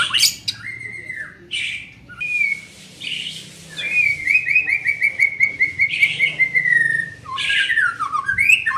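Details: Young white-rumped shama in training gives a long steady series of rapid, evenly repeated whistled notes lasting about three seconds, set between harsher chattering phrases.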